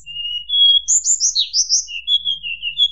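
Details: Sustained flute-like whistle from a hill blue flycatcher, sung to provoke rivals, rising into a cluster of high slurred notes and settling into steady mid-pitched warbles.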